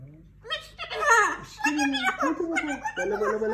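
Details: Melody, a female umbrella cockatoo hatched September 2017 and raised in Tehran, chatters in Persian in a child-like voice: quick, speech-like phrases that rise and fall, mixed with giggling sounds, indoors.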